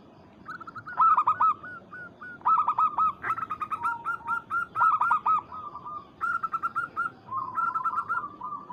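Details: Local zebra dove calling a rival to provoke a response: repeated loud bursts of fast, stuttering coos with bright overtones, with several birds seeming to overlap in lively alternation.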